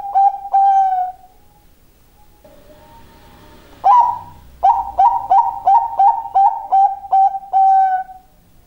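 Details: Zebra dove giving a very loud cooing call: two drawn-out mellow coos, a short pause, then a quick run of about nine clipped coos, each with a sharp rising start, nearly three per second.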